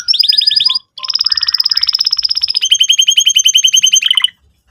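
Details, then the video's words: Canary singing a lure song meant for young canaries learning to sing, with fast chattering trills in several tight bursts, including a long even rattle and a lower, rapidly repeated series before ending. "pancingan burung kenari gacor cuit cuit emosi, kesukaan kenari muda belajar bunyi"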